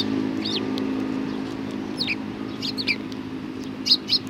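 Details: Several sparrows at a Tenmangu shrine in Japan, 31 March 2020, give short, sharp chirps with a downward slur, spaced irregularly over a constant low droning background.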